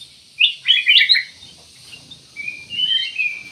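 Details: Kutilang emas, the ruby-throated bulbul, delivers a quick tumble of bright chirps, falls silent briefly, then gives a longer wavering, slightly buzzy whistle.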